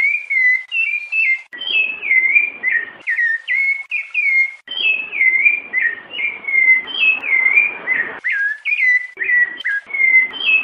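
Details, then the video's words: Rufous-bellied thrush in the "piedade senhor" song style, pouring out a long run of varied whistled phrases, rising and dropping slurs repeated every second or so with brief pauses, clear and loud throughout. "SABIÁ LARANJEIRA CANTO PIEDADE SENHOR COM PIADOS DE FÊMEA"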